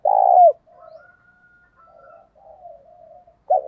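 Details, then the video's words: Decoy spotted dove with a loud, clear voice, calling to provoke rivals. A long, steady low coo that falls at its end opens the recording, followed by quiet wavering murmurs, then the start of another loud coo. "Chim Cu Mồi thúc đấu giọng to + rõ rất ít tạp âm bổi nghe úc chế gáy theo"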